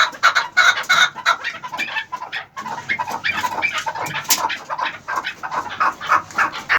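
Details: Chukar partridge aged 11 months, uttering quick, rasping chuck notes, around three per second, with a brief pause midway before the series resumes.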